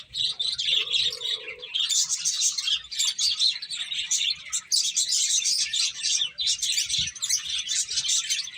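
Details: Finches eating while chirping: busy high twitters from many birds, an early short buzzy mid-pitched note and a single low thump near the seventh second.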